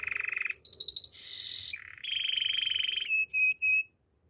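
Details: Canary song: a fast trill near mid-high pitch, then rapid high buzzy rolls and a lower trill, ending in three short sustained whistled notes.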